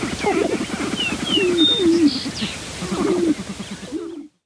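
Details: Sharp-tailed grouse males battling at a lek's edge, with natural sound captured on a Rode Videomic: clucking, cackling notes in short bursts alongside a few thin high whistles, then fading into silence.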